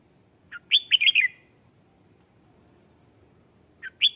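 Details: Red-whiskered bulbul giving lure song to attract wild birds: a lively phrase of four or five rapid, looping whistles, then a pause and the start of another phrase with two sharp notes.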